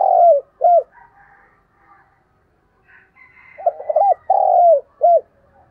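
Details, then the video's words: Spotted dove calling as a lure for wild doves: the tail of one cooing phrase with a long falling coo and short last note, then after a pause a full phrase of stuttered coos, drawn falling coo and final note; faint bird chirps between. "tiếng chim cu gáy mồi chuẩn cực hay gáy gọi bổi nghe về cội liền"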